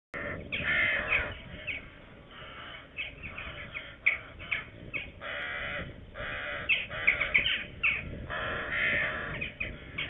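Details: Red-footed falcon in Hungary, 27 June 2020, with two chicks still present: harsh, rasping calls in irregular bursts, several a second at times, over a steady background hiss.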